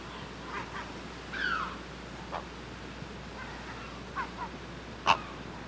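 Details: Great blue heron calling from the nest in a series of rough, scratchy squawks, one slurring downward, irregularly spaced, ending with a sudden loud harsh scream; quiet hiss underneath.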